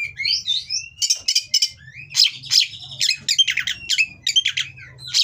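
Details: Captive Oriental magpie-robin in Indonesia singing a mating song to provoke rivals: dense chatter of harsh buzzy notes interleaved with short whistles, delivered in rapid clusters over a low hum.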